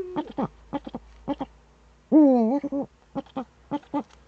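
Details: Eifel Uhu, a Eurasian eagle-owl, on the morning of 26 September 2013: quick clipped hooting notes around one long, wavering, nasal call in the middle, with a faint low hum underneath.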